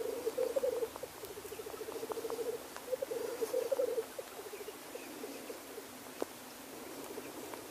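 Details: At a black grouse lek, males' fast burbling rookoo phrases dominate the first four seconds, then fade into a quieter background with a sharp click near the end.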